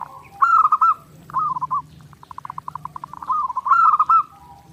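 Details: Zebra dove singing nonstop for a daily-training master: a warbling cooed phrase, a shorter one, a run of evenly spaced clipped notes, then another warbling coo.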